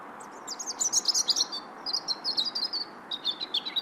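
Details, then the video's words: Bird chirping in three quick clusters of sharp, very high tweets, each cluster a rapid stutter of notes with short pauses between, backed by constant soft background hiss. "chirping sound"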